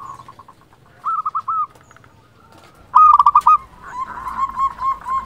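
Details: Local zebra dove, a strong, steady singer used as a lure to make other doves answer. Two clear rolling coo phrases of quick pulsed notes, then a softer drawn-out series of wavering notes at the end.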